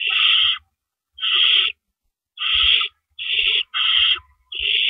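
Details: At an owl nest in the early hours of April 4, 2012, during rabbit deliveries, six loud, rough hisses of about half a second sound with uneven spacing, two close together near the end.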